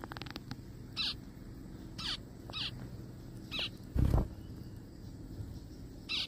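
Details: In a forest, a zebra finch repeats brief buzzy, nasal calls roughly once a second, six in all, with a dull low thump midway and constant low rumble beneath.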